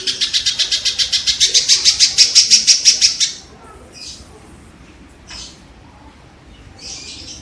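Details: Kingfisher calling for songbird training: a three-second run of rapid scratchy notes that swells and stops abruptly, followed by quieter scattered faint calls over low hiss.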